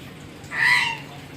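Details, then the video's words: Single hoarse, drawn-out caw from a crow, rising and then fading over about half a second, against faint background noise. "Burung Gagak Pencalang Gacor"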